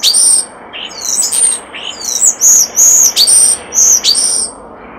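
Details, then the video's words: Near a nest box a common starling pours out a varied song of high whistles, downward swoops and buzzy, level squeals, loud and packed closely together. "Common Starling Bird Song and Call By Nest Box, Starling Nature Song Call, Vocalization"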